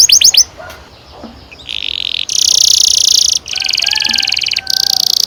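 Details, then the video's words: Canary in full song for training young birds: a brief quick trill, a short pause, then long dense buzzy rolls broken by a gap, with faint low whistles beneath. "Kenari gacor NGEROL PANJANG"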